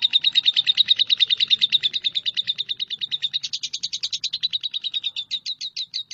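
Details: Shrill, rapid chirping from a lovebird, strong at first, then slightly softer and brighter, with each note crisp and repeated at a quick, regular pace throughout.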